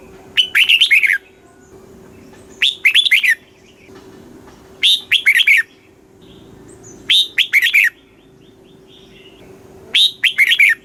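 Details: Thai red-whiskered bulbul singing in the southern master-song style, played for caged birds and young learners: five clear, liquid phrases of quick chirped notes, spaced about two seconds apart, with a constant faint hum in the background.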